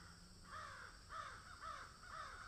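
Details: Crow calling while eating food: four hoarse, slightly descending caws evenly spaced about half a second apart, with constant low hum and hiss behind.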